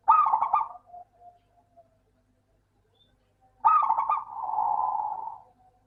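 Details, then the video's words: Local zebra dove, played as a lure to get reluctant doves singing: two low cooing phrases, each a quick burst of staccato notes running into a drawn-out purring coo, with quiet fading notes between them. "Suara burung Perkutut Lokal - PINTAR PANCING PERKUTUT MALAS BUNYI"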